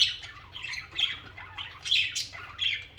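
Budgerigars chatter in a busy mix of scratchy squawks and quick high chirps, bursting irregularly every half second or so, with a faint low hum underneath.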